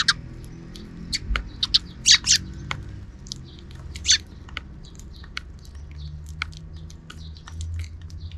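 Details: Sparrows in the afternoon, calling from outside a camera's view: scattered short bright chirps, a few louder squawky notes near the middle, with soft clicks and a low background rumble.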